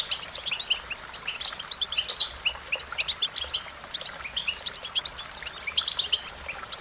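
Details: Song of an American goldfinch, lilting high chirps and twittery slurs repeated in short phrases at a steady, bouncy pace throughout.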